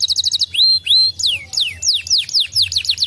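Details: Gloster canary singing energetically: rapid trills of short high notes, then long rising and falling whistled slurs and a run of sweeping descending notes, all bright and high-pitched.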